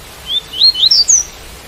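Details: A white-collared seedeater's song with rain sound, made of five high whistled notes that sweep upward and step up in pitch across the phrase, set against a quiet, even hiss.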